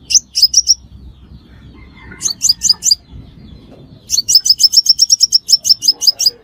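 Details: Trapping lure of a crimson sunbird: short bursts of piercing, high-pitched chirps, first three or four notes, then a pause, then a longer rapid run of a dozen or more ticking notes.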